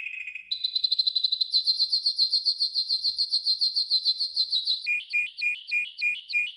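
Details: A yellow golden canary sings a training song. A low roll steps up into a long, even run of rapid high pulses, then ends in a bouncing two-pitch trill of clear, repeated notes.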